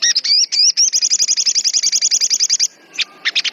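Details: Sogon singing agitatedly, a few rising slurred whistles followed by a fast steady series of about twenty high, sharp notes, then scattered harsh bursts.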